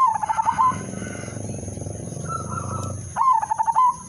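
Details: Lure song from an udanmas silver zebra dove, meant to start other doves singing: a pulsed stammering coo phrase, a broad mechanical rumble with a soft coo in the gap, then a second stuttering phrase; a faint high whine runs throughout.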